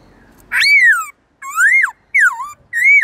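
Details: Black-throated laughingthrush giving its forest-style song with long, loud tones, used for training other birds: four strong whistled phrases with rich overtones, each sliding up and then down, spaced by short silences.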